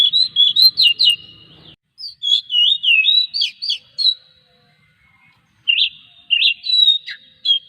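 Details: Oriental magpie-robin song used to stimulate other magpie-robins: three bouts of quick, twisting high whistles separated by short silences.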